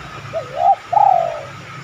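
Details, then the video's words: Spotted dove cooing, used as a lure to prompt other spotted doves to answer with their own cooing: a short low note, a swelling second note, then a longer pulsing coo that fades downward, with faint low hum beneath. "tekukur mana yang ga tergoda bunyi manggung..pancingan anggungan terbaik."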